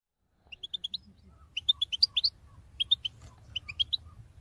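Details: European goldfinch call song played to motivate caged birds to sing: short bright tinkling chirps in quick bursts of three to five notes, separated by brief pauses, with a low background hum.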